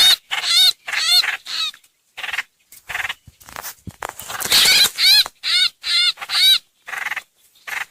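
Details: Streak-eared bulbul used as a lure, 2022: rhythmic harsh chattering notes with rippling overtones, roughly two per second, separated by brief gaps.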